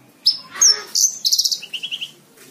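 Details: Brief phrase from a bush lark training song: a high whistle, a drawn-out tone, then a quick pulsed trill that drops lower into a slower series of four notes.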